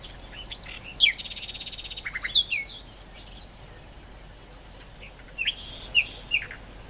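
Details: Great reed warbler song with a long harsh grating rattle of rapid pulses, then scratchy squeaks. After a pause, another burst of harsh chattering notes.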